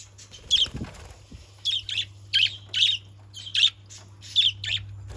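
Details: Caged budgerigars give rough, high chirps roughly once a second, some paired, with a soft low flutter of movement early on and a steady low hum throughout.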